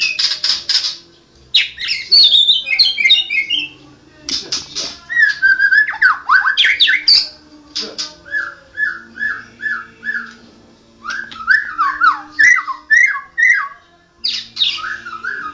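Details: Champion white-rumped shama in full song: loud, varied bursts of rapid warbled notes, harsh rattles and repeated whistled trills, delivered in quick succession with brief gaps, faint hum in the background.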